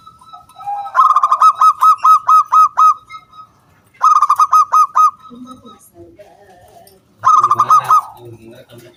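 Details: Zebra dove, a local wild bird in full song, used to prompt other doves to sing. Three bursts of rapid, evenly pitched staccato coos, each lasting about one to two seconds, separated by quiet gaps with faint lower murmurs.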